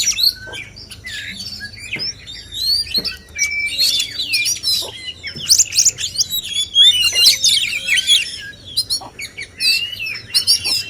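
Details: Several male kacer, or oriental magpie-robins, in a song duel: a busy, varied stream of shrill whistles, twitters and quick slurred phrases, swelling louder toward the end.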